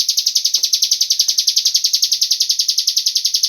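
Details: Rapid, even pulses of a high buzzy cigun bird call, used as a lure to set other birds singing, repeating about three and a half times per second throughout.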